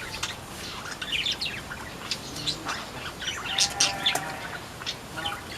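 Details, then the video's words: Sunda white-eye (pleci buxtomi) singing in a mini aviary, described as always in full song: a rapid jumble of high, thin chirps and twittering notes, with scattered wingbeats in the background. "Burung Pleci Buxtomi yang Selalu Gacor"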